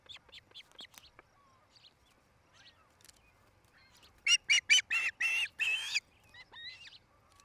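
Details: Osprey pair's nest in Charlo, Montana, on a camera, late afternoon 2018: a few soft high chirps, then six loud, harsh, broad squealing calls in quick succession, followed by fainter upslurred notes.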